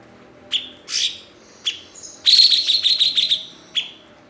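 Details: Blue-winged leafbird (cucak cungkok), valued as a master bird because it readily imitates other birds. A few sharp chips and a rasp lead into a loud, rapid, chattering trill of high notes, closed by a single chip.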